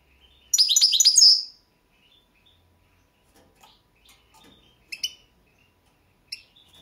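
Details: Balkan goldfinch singing in a 2022 world championship song competition: a burst of bright, twittering, tinkling notes, then a pause with faint scattered chips and short metallic notes.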